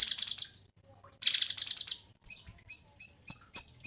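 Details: Cungkok in tutor recording for songbirds: two bursts of harsh, scratchy buzzing chatter, followed by a quick string of clear, high, down-slurred whistle notes.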